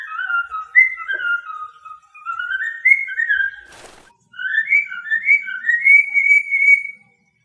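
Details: Pet cockatiel whistling a melodic tune indoors: clear, sliding whistles with gliding rises and falls, phrases broken by short pauses, and a single sharp click midway.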